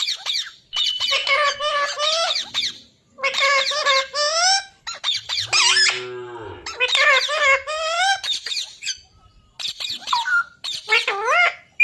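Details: Parrot voicing a run of bright, bending squawks and nasal, talk-like wails in repeated bursts, with a harsh, lower buzzy passage in the middle and quick rising notes near the end.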